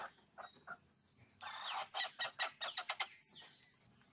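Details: A wild hornbill outside a home window gives a quick run of harsh, shrill squealing notes, about ten in under two seconds, after a few softer high whistles and chirps.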